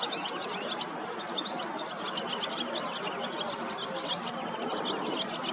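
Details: Barn swallow singing from a perch during a rest from nest building, on the Nioman river bank in Hrodna, western Belarus, 11 May 2023: quick, high twittering, short chirps tumbling several times a second over a steady background hiss.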